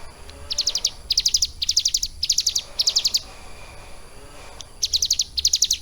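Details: Trained captive Bar-winged Prinia with a lovebird filling gives clustered bursts of four to six rapid high chips, the bursts spaced about half a second apart, with a pause before a final pair of bursts.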